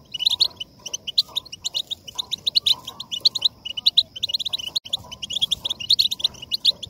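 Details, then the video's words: European goldfinch song for motivating singing: energetic, high-pitched twittering phrases of quick chirps repeated in bursts, with a brief break near the middle and faint background hum. "La voz del jilguero para motivar el canto بتبتة نااار لتهييج الحسون ستجعله يغرد من دووون انقطاع"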